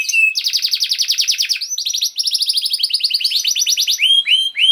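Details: Canary singing a long, unbroken song meant to prompt other canaries to sing: a short whistled note, then dense, fast buzzy trills in rolling bursts, ending in rising upward-swept whistles.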